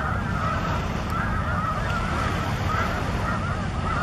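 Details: Wild snow goose flock at Broadkill Beach, Sussex County, Delaware, on 13 December 2015, mixed with Ross's geese and a cackling goose; many overlapping nasal honks behind a steady roar of wind or surf.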